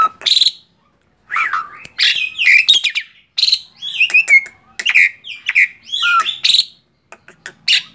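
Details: Male Black-winged starling, tame, singing in short separate phrases: loud shrill notes, looping whistles and downslurred slides with small gaps between them.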